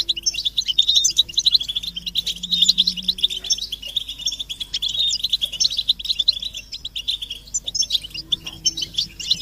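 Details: Collective goldfinch twittering, mating and readiness calls meant to prompt a male to end his silence and sing; a steady, dense stream of high tinkling notes and buzzy trills, with a faint low hum beneath.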